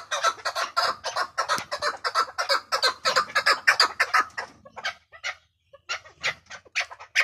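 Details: Partridges heard in a hunting context: a fast run of harsh, broadband clucking notes, about three per second, continues for nearly five seconds. After a short pause, further spaced clucks follow in small bursts.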